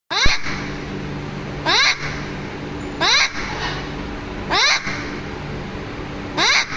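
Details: Green parrot giving harsh, rising squawks, one roughly every one and a half seconds, five in all, over a steady indoor mechanical hum.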